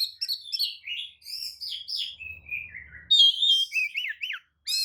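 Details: Oriental magpie-robin, a tail-spreading bird, singing a lure song meant to provoke other magpie-robins into answering; a continuous run of varied whistled and slurred phrases, some buzzy, with a faint low hum midway.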